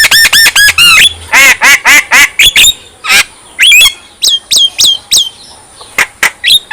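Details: Javan myna singing to stir other mynas into song and agitation: a fast string of nasal squawks and harsh chirps, then spaced whistled notes that rise and fall, about two per second.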